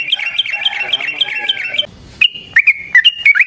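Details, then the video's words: Yellow-vented bulbul (trucukan) in a lure recording for trapping: a run of bubbly repeated notes, a brief pause, then sharper clipped whistled notes jumping up and down. "Suara Burung Trucukan GACOR ROPEL Panjang Ampuh Untuk PANCINGAN TRUCUK Bahan dan PIKAT TRUCUK"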